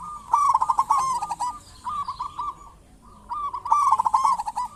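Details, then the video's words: Zebra dove of local stock, lure recording for drawing out other zebra doves: several rolling, bubbly coo phrases separated by short pauses, a louder close bird overlapping fainter distant cooing. "Perkutut lokal gacor cocok buat pancingan burung perkutut"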